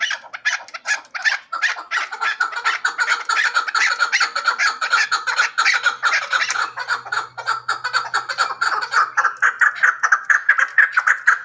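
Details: Hybrid chukar partridge calling continuously: fast, throaty chuk-chuk notes running together into a long, rolling, excited chatter.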